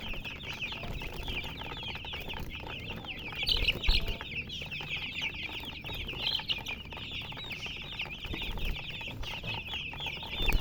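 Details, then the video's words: Baby chickens in a crowd, peeping continuously: dense overlapping high chirps, short and slightly falling, packed together without pause, with a low rumble of background noise and a few louder bursts near the middle and end. "MURGI Baby "Chicks Chirping" Sound"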